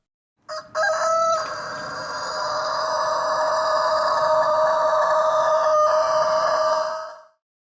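A rooster crows after two brief opening notes, then holds one long, steady, ringing note for about six seconds before it stops. No other sounds intrude.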